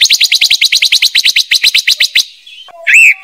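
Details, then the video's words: Silver-eared mesia calls used to lure birds into traps: a rapid, steady series of about twenty sharp repeated notes, then a pause and one loud slurred whistle. "Tiếng chim ngũ sắc mồi chuẩn | ngũ sắc kích bổi dùng cho loa bẫy"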